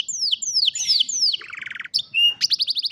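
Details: Canary song played to train a lazy canary to sing, recorded on a mobile phone: a run of loud, sweeping whistles sliding downward, a short buzzy trill, then a quick series of bright repeated chips.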